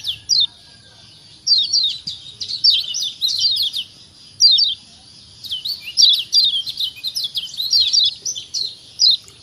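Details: Kecial kuning white-eye from Lombok giving a 'ciak ciak' call used to stimulate other birds to sing. Bursts of sharp, high, downward-sweeping chirps come in quick runs with short silent gaps.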